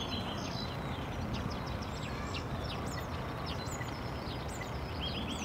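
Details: A common starling sings in Tivoli Landscape Park, Ljubljana, on 14 March 2022: thin slurred whistles, clicks and rattly chatter in quick succession, faint over a steady low rumble of traffic.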